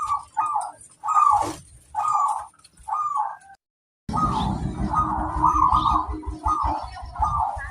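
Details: Local zebra dove song used as a lure to make other doves answer: rhythmic bursts of rolling, trilled cooing notes, interrupted by a brief silence, then continuing over a heavy low rumbling background noise.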